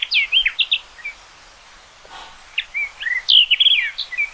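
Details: Common rock thrush (Monticola saxatilis) singing rapid, melodious warbled phrases of high whistled notes that slur up and down. A quiet pause of about a second separates the first phrase from a second, louder burst of warbling.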